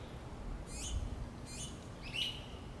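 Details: Finch chicks begging from the feeding mother: three high, quavering descending cheeps about half a second apart, the last with a brief whistled note.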